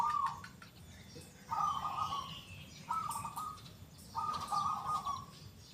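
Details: Local zebra dove in active song, with a loud, clear, big 'kung' voice: four mellow, level cooing phrases, each about a second long, delivered roughly every one and a half seconds over faint background noise.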